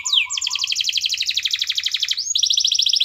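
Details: Canary master song aimed at getting other canaries singing: one downward slur, then an unbroken, very rapid, high rattling trill that shifts to a brighter trill near the end.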